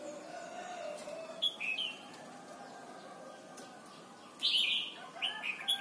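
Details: Red-whiskered bulbul, Thailand, singing for young birds to learn: faint early notes, then a strong warbled phrase of falling whistles near the end, followed by short echoing notes.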